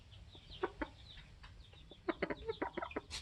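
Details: Polish layer hens, 21 weeks old, kept with a protective rooster. Scattered soft clucks come in two clusters, quicker and denser toward the end, over a low background hum and faint high bird twitters.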